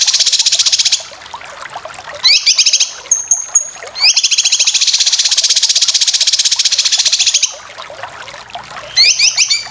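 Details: Cucak kinoy singing full besetan style, used as training material for competition birds: long bursts of very fast, even, buzzy chattering notes, high and steady, broken by short rising whistled phrases and a thin sliding whistle.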